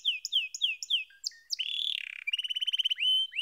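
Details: Singing canary opens with four descending whistled slurs, then short notes, a buzzy rattle and a fast rolling trill ending in an upswept whistle.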